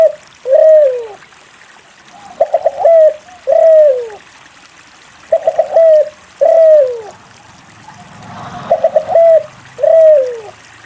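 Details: Spotted dove in steady song, a prompt for doves that will not sing. Repeated phrases of rapid clipped notes, each closing with a long, gliding, downward coo, with a brief scuffing noise near the end.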